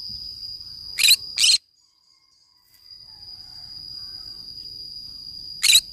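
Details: Green-cheeked conure playing by itself in the forest: two rasping screeches close together, a few seconds of quiet, then another harsh squawk, with a continuous thin high whine behind.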